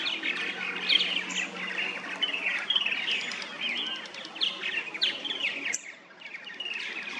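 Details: Purple martins at a backyard nesting colony of plastic gourd houses in St. Catharines, Ontario, Canada, late spring or early summer; dense overlapping chirps, gurgles and rattly warbles from several birds, with a faint low hum underneath.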